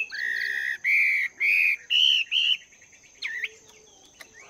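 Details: A Chinese hwamei, wild-caught and caged for two months, training its voice in the morning. It gives five long, clear, level whistles, each stepping slightly higher, then a sharp swooping note and soft chips, with a thin steady whine behind.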